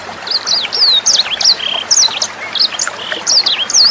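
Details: Sanger bird tutor song for training songbirds: crisp, high whistled phrases with zigzag, rising-and-falling notes and a few flat buzzy notes, repeated in quick bursts over faintly trickling water.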